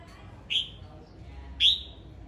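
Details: Male red-whiskered bulbul song: two strong whistled notes with a steep rising start and a trailing tail, about a second apart, against a quiet background.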